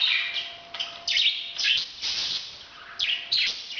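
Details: Parrot giving its breeding call: bursts of harsh, buzzy chattering notes, some with falling squeaks, in quick uneven runs separated by short gaps, over a faint steady hum.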